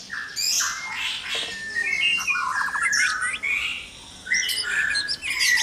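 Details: Harsh squawky bursts mixed with short whistles from white-rumped shama in a noisy breeding cage at dawn, delivered in rapid uneven phrases.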